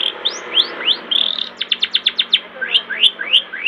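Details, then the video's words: Master song of a long-tailed shrike used to spur young birds into singing: upward-sweeping whistled notes give way to a fast run of clipped chips, then more rising slurs, over a faint background hiss. "Masteran cendet gacor cocok buat pancingan cendet mudamu biar cepat bunyi"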